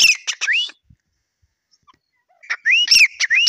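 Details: Grey francolin (teetar) giving short bursts of rising, whistled notes with a quick rattling start, separated by nearly two seconds of silence.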